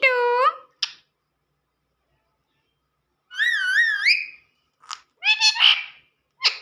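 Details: Indoor pet talking parrot asking for roti: a rising voice-like syllable, a sharp click, then a wavering warbled phrase and a few short squawky notes with silent gaps.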